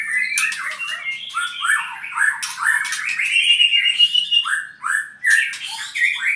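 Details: Owned albino white-rumped shama from Purwokerto delivering continuous song: loud rising whistles, rattling chatters and upward-sweeping notes strung together without pause, with sharp high clicks between phrases.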